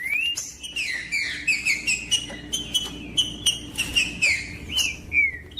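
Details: Green-winged saltator, used by breeders to warm up cold birds for tournaments, giving a steady stream of bright whistled notes, mostly level or gently falling, packed closely together with a final downward slur.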